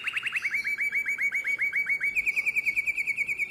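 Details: Nightingale-voiced style song of a domestic canary, recorded in Drama, 2017: a run of fast, sharply descending chip notes, then a rapid, even high trill, each phrase clean and ringing.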